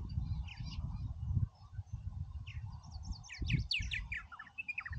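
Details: Several purple martins at Oak Harbor, Ohio, calling amid heavy low rumble; a few scattered chirps early, then a quick cluster of gurgled, descending chirp notes from about three seconds on.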